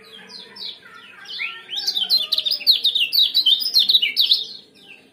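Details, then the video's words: Lemon-bellied white-eye 'ciak' and 'jos' song for bringing birds into breeding condition: soft scattered chirps building into a loud, fast, jumbled run of high sliding notes that fades at the end. "Kombinasi ciak jos spesial pancingan kecial kuning"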